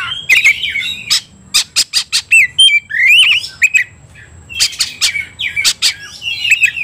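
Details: Oriental magpie-robin singing aggressively while provoked to fight, 'ngobra' style: harsh squawky notes, sharp clicks and wavering whistles in uneven bursts, with quieter gaps between.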